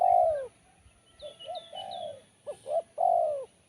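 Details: Spotted dove singing sharp, crisp Kuk 1 coos: a long falling note, then short notes and a sustained coo, then another phrase of two quick rising notes and a long descending coo. Thin high chirps of another bird are heard behind.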